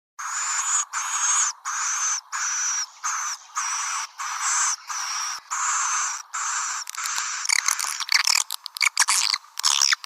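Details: Swiftlet lure call used to attract swiftlets: buzzy, high twittering bursts about half a second long, repeated steadily with short gaps, then turning into denser, broken chirping in the final seconds. No low sounds.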